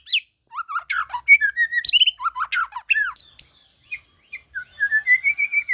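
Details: White-rumped shama singing a combination of 'tembakan' bursts: rapid, varied whistled phrases with sharp upward and downward sweeps, short high chips, and a rising series of clear whistled notes at the end; no other sounds.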